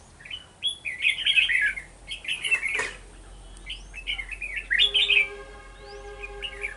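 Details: Decoy red-whiskered bulbul singing during trapping in Vietnam, 11 November 2018, as a wild bird flutters nearby; rich warbling phrases in quick clusters, a sharp click mid-way and a steady hum of background tones near the end.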